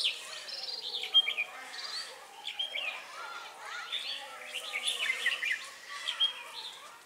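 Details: Trapping red-whiskered bulbuls at Ba Thá, 18 December 2016, with a lure bird drawing in wild ones. Short warbled, slurred whistles come in quick bursts, several birds overlapping, with brief pauses between clusters.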